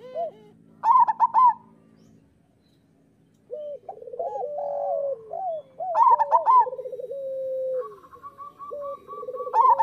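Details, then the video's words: Training song of local zebra doves: bursts of high cooing notes between rolling lower trills, with a second dove's steady trill joining near the end. "Perkutut lokal gacor Suara Masteran Burung Perkutut"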